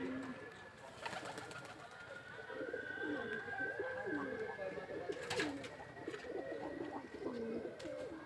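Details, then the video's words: Pigeons in the nest boxes of a dovecote at Durgasagar, Barisal, cooing together: soft, low, rolling coos that warble and overlap through the second half, with faint background hum and a few sharp knocks. "কবুতরের খোপগুলো খুবই সুন্দর, কবুতরে ডাকতেছে, শুনুন।"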